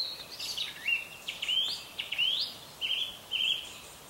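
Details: Birds singing in the morning: a lively run of clear whistled notes, some slurred upward and some downward, with short pauses between phrases. There is a faint steady hiss in the background.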